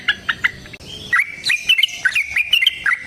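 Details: Sooty-headed bulbul pouring out a fast, lively run of clear whistled and chirping notes in its long fighting song, offered as a lure to get other birds singing.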